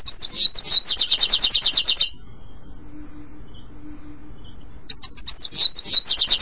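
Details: European goldfinch song intended for pet bird training: a fast run of high, ringing repeated notes ends. After about three seconds of near-silence with a faint hum, sharp twitters, falling whistles and another rapid trill begin.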